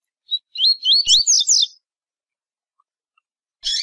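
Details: Double-collared seedeater singing in the Tui Tui song style: a quick run of high, warbling, up-and-down whistled notes lasting about a second, preceded by a short chip and followed by a buzzy burst, in a quiet setting.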